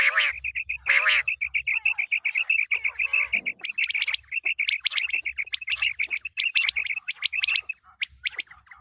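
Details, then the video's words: Quail call prepared for the coming wheat season: a fast, nearly continuous run of high, even chirps, rattling on for several seconds after two louder harsh opening notes. "Quail sounds for coming season | چیتری بلارا آنے والے گندم کے سیزن کے لیے بہت اچھی آواز"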